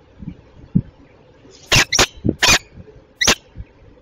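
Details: Peregrine falcon, Belgian female, Tilburg Westpoint, 08:08 on 27 June 2024; four loud, grating, wide-band calls bunched near the middle, with soft low knocks and rustles between.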